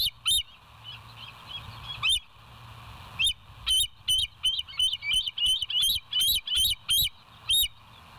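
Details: From a live nest camera on the West End bald eagles, 07/09/2023, 06:24: a few isolated high chirps, then a steady run of quick piping notes, roughly three per second.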